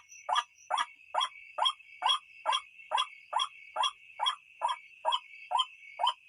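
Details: White-breasted waterhen call, as played at night to lure birds: a rhythmic series of about fourteen rasping, croaky notes, evenly spaced roughly twice per second, with a steady shrill background hum of insects.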